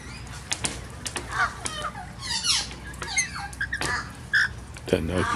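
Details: A male wild Rainbow Lorikeet visiting people who give him grapes, June 17, 2017, gives harsh, scratchy squawks and short shrill chatters in quick irregular bursts, with faint voices and clicks nearby.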